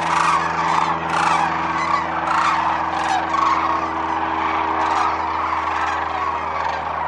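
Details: Large wintering flock of sandhill cranes at Whitewater Draw Wildlife Area, Arizona, gives loud rattling, bugling bursts nearly every second, above a constant murmur of many more cranes and a steady low hum.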